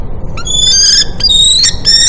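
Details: Common kestrel nest on a building of The American University in Cairo, Egypt; eggs just hatched, the female bringing food to feed her chicks. Loud, harmonic, high whining calls in three drawn-out bursts separated by brief gaps.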